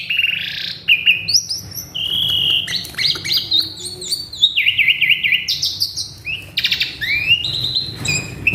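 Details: Agitated male Asian pied starling pours out a long varied song of whistles, trilled wavering notes and harsh buzzes, rising and falling without pause, over a faint low hum.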